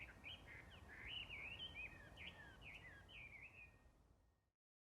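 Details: Early spring twittering from an unidentified small bird, recorded 5 March 2022 while the bird stayed hidden: a continuous chatter of high, quick, sliding chirps and trills for about four seconds over a light breeze before it cuts off.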